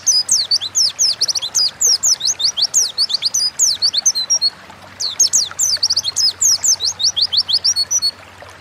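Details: Oriental white-eye in lively 'ngalas' forest-style song, used as a lure to prompt kept birds to sing: rapid streams of high, thin downslurred whistled notes in two long bursts separated by a short pause, with a faint low hum beneath.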